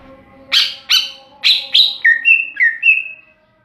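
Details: Greater green leafbird singing loudly: four harsh, buzzy chirps about half a second apart, then four clear whistled notes alternating lower and higher in a bouncing pattern, with a faint low hum behind.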